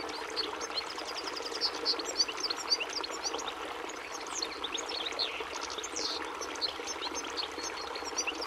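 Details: Goldfinch twitter of rapid, bright chirps and short rising and falling slurs, frequent and irregular, set against continuous trickling, stream-like noise.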